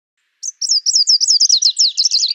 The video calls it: Greenish warbler call